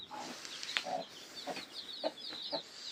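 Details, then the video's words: Newly hatched chicks peeping, with thin high chirps scattered through the clip over a few lower clucking notes. "koy civcivleri yeni cıkım"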